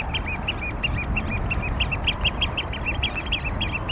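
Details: A flock of Eurasian oystercatchers (Haematopus ostralegus) gives loud, shrill, overlapping piping calls, several each second, over a steady low rumble of wind or surf.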